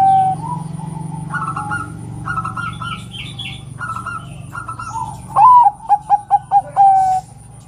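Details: Female zebra dove (Bangkok perkutut) calling to prompt a male to sing: soft, low cooing notes ending in a louder burst of five or six quick stuttering coos; a steady background hum runs throughout.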